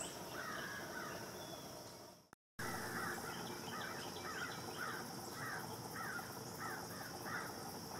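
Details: White-eyed vireo at Lake Conestee Nature Park, Greenville, South Carolina, USA, on October 14, 2017: a run of short, harsh, arched notes repeated about twice a second over a steady background hiss, after a brief dropout.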